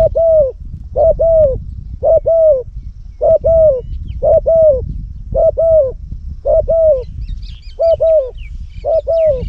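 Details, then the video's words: Spotted dove kept as a decoy bird for luring, recorded in Cambodia, giving a steady series of low, hollow coos, each a short double-humped hoot, roughly one per second, over low rumbling background noise with faint high chirps of other birds near the end. "លលកធ្នាក់សំលេងធំទ្រូលបរ (ស៊ីដាំ) -Terbaik Pikat Terkukur Cambodia"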